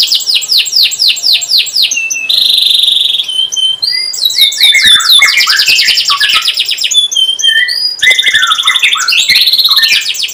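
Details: Canary giving a long chirping song to train young canaries to sing: repeated sweeping chirps, a sustained buzzy note, then tumbling cascades of rapid warbled notes and high trills.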